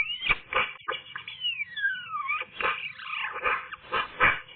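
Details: Eurasian magpie in song on a sunny day: scratchy chattering notes with a long clear whistle gliding steeply downward, then more rapid harsh, creaky phrases.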